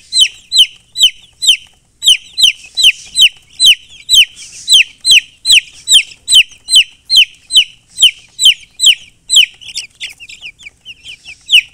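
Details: Chicks chirping in a fast, steady series: loud high falling peeps about two per second, very regular, with softer scattered calls near the end.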